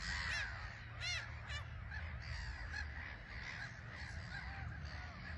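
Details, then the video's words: A colony of black-headed gulls on a small island at RSPB Frampton Marsh, taking off and landing under a grey sky, give harsh, grating squawks and short clipped calls over a steady low rumble of wind or distant traffic. "Black-Headed Gulls"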